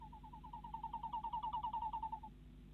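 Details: Nest box camera in the Netherlands, 10:23 pm, late February 2016, where a female tawny owl calls as her mate arrives with a mouse. Rapid pulsed notes rise in volume, then fade after about two seconds.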